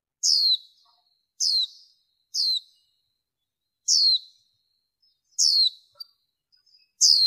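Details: Female warbling white-eye, noise-reduced recording: six crisp, steeply falling high-pitched chirps, spaced irregularly about one second apart, with near silence between them.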